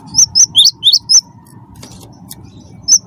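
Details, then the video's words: Wingko-type cinereous tit prompting other birds to sing: six quick high chirps, some swooping downward, in just over one second, then quiet hum and a single closing note. "gelatik batu wingko gacor pancing bunyi suara cerewet"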